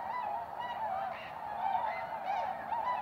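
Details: Tundra swans returning each spring to Goose Pond, Columbia County, Wisconsin, USA, recorded March 2016; a massed chorus of whooping, bending honks overlapping without pause, some notes sliding up and down.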